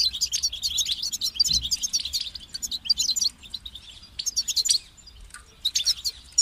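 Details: European goldfinch, a kept bird, singing bright twittering phrases high in pitch, bursts of rapid chirps and trills separated by short pauses, with faint low hum beneath.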